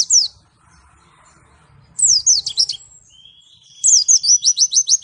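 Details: Pleci, a white-eye from Malang, gives a short high descending phrase, then a rapid series of falling whistled notes, a thin steady high whistle, and a fast, evenly spaced run of sharp downslurred notes to finish.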